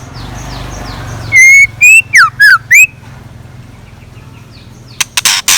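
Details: Scarlet minivet decoy bird in morning song: faint high chirps, then five loud, clean whistles in quick sequence, rising and falling, followed by quiet and a few sharp clicks at the end.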